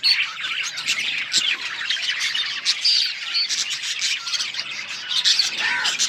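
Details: A group of budgies keeping up busy high-pitched chirping and squawky chatter, overlapping notes with short whistled tones and steady lively rhythm throughout.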